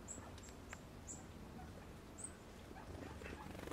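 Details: Brown Creeper in Western Canada giving thin, very high, brief seee notes about once a second, over a low rumble of background noise.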